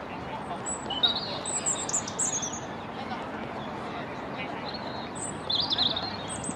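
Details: A European robin singing in a corkscrew hazel bush near the Albert Memorial gives high, thin, warbled phrases in two bursts, notes sliding and tumbling, over a steady rush of background noise.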